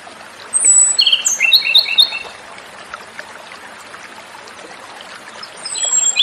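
A Japanese robin gives a quick burst of high, ringing notes that tumble down in a short trill, then pauses before starting another high phrase; faint trickling water behind.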